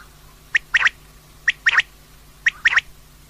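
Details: Common quail, female: a sharp single note followed by a quick double note, the three-part phrase repeated three times about a second apart.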